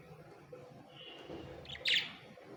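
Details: Two pet budgerigars: after a faint, thin, steady whistle, a brief burst of bright, scratchy, high-pitched chirping comes near the end over a low background hum.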